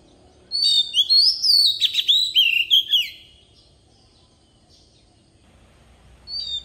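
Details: A decoy Oriental magpie-robin gives a forest-style song meant for training young birds: a burst of bright sliding whistles and twangy notes for about two and a half seconds, then quiet, with another whistle at the end.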